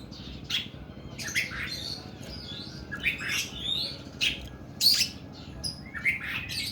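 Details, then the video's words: Oriental magpie-robin of the kuku bima type singing in long, rough bursts: gritty buzzes, sharp chirps and brief rising whistles, phrases coming irregularly about once a second. "KACER KUKU BIMA NEMBAK PANJANG & KASAR"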